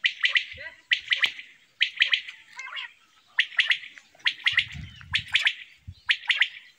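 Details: Quail calling: sharp, clipped chirps grouped in quick bursts of two or three notes, repeated about once a second, with a brief low rumble in the background.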